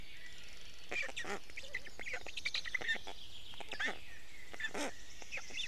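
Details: Black stork storklets at an Estonian nest, 29 May 2018 at dawn, fed fish by their father; busy, grating, duck-like chatter of many begging squawks, with faint birdsong behind.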